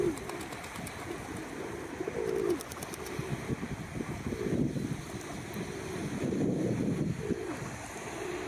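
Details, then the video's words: Red-crested pochards recorded 21 April 2023 give soft, low, grunting murmurs in an uneven run, with a faint wash of water behind. "Duck ：Red crested pochard"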